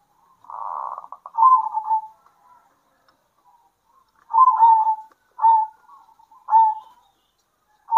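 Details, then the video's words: Local zebra doves singing back and forth at midday: a soft buzzy burst, then rolling trilled coos ending in a drawn note, more phrases following after a silent gap, about four phrases in all. "PERKUTUT LOKAL GACOR"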